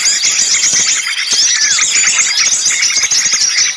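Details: Small birds in a dense, noisy lure recording used to attract and catch birds: a continuous chorus of high, shrill chirps, twitters and squeaks from many birds, with no pause.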